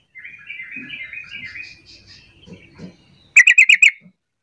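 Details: Sooty-headed bulbul call used to prompt silent bulbuls to join in and reply: soft wavering warbled notes at first, then a fast run of five sharp, bright chirps.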